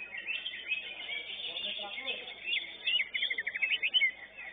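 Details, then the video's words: Greater green leafbird at a song contest delivering a busy stream of sharp chirps and warbles, ending in a fast rhythmic series of bright notes, with brief human speech mixed in. "CUCAK IJO"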